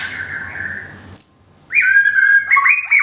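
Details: White-rumped shama in Thailand, recently moved and moulting, opens with a soft steady whistle, gives a sharp high note, then bursts into loud whistled phrases with rising slurs.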